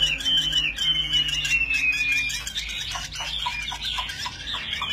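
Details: Chinese hwamei, a fighting bird in display with wings held high, gives a long clear descending whistle, then a burst of rapid, jumbled whistles and chips over a faint low hum indoors.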